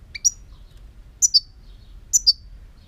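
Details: European goldfinch song: three bursts of high, sharp notes, each a quick pair of bright, downslurred chips, spaced about a second apart over a low, quiet hum.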